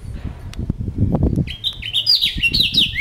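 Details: Captive house finch kept among other birds, singing a fast warbled phrase of rising and falling notes in the second half, over low handling and thumping noises.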